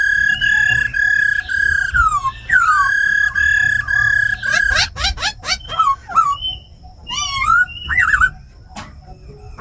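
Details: Female laughingthrush rolling 'ro khẹt' alongside a tame khướu mun in 'forest voice' style, meant to fire up wild-caught birds; long steady whistles, then a burst of quick clicks and twisting, bouncing notes.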